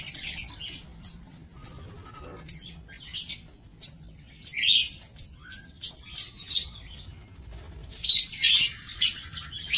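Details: Aviary lovebirds recorded 5 July 2024: scattered high chirps, then a regular run of sharp, evenly spaced notes, ending in a dense burst of shrill chatter.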